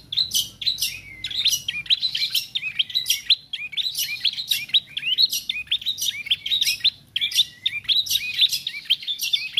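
A young Bar-winged Prinia practising song: quick bursts of sharp, high, squeaky chirps, several each second with short pauses, over a faint low hum.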